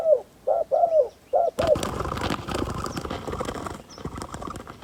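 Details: Spotted dove used as a decoy for luring wild doves, giving several quick paired low coos before a burst of rustling, flapping noise takes over the rest of the recording.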